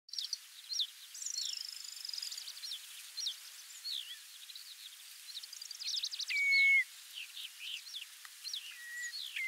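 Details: Common Redshank at its breeding ground on the Notsuke Peninsula, Japan, in spring, giving clear, level whistled notes among a busy chorus of short, high chirps and trills from other birds.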